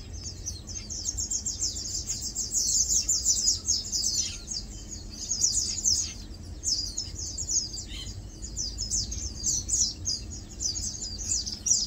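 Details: Flock of Lowland white-eyes (Matang dulong) feeding and preening: a busy, continuous chorus of very high, sibilant chips and trills, swelling and fading in bursts, with faint low background hum.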